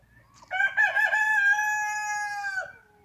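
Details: A rooster gives a single loud crow. It opens with a few choppy pulses, then stretches into a steady ringing note of about two seconds that falls away abruptly against a quiet background.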